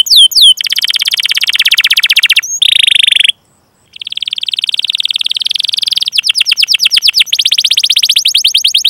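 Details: Canary rolling song used as a training recording for other canaries: long buzzy rolls broken by a short silence, then a rapid stroked trill of fast repeated notes.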